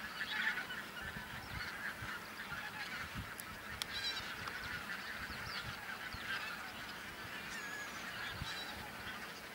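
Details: Bean geese by the thousands on a field on Texel, Netherlands, 22 November 2014, some taking flight when observers stopped. An unbroken chorus of honking, with a few brief sharp clicks and faint low rumble.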